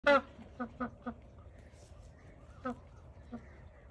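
A Magpie goose gives one loud, resonant honk, then a run of shorter nasal honks spaced about half a second apart, with faint bird calls behind.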